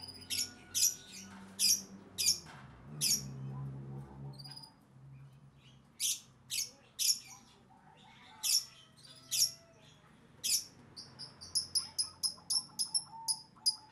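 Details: Plaintive cuckoo kept in captivity while eating crickets: repeated shrill, rasping squeaks about once a second, with a brief pause midway, ending in a quicker string of thin, clipped notes over faint low background noise.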